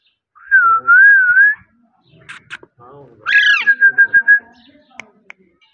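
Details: Parrot gives a long wavering whistle, a few soft chattering notes, then a harsh squawk that breaks into a rapid run of five or six short whistled notes, in an otherwise quiet room.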